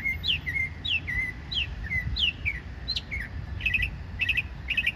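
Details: A small bird sings energetically: a series of sharp, downward-sliding whistled notes roughly every half second, ending in rapid, bright trilled chirps, over a low steady background rumble.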